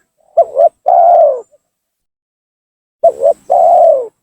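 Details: Spotted dove lure call used to draw down and provoke rival doves: two loud cooing phrases, each a short double-noted coo then a long, slightly falling drawn-out coo, separated by a pause of about one and a half seconds.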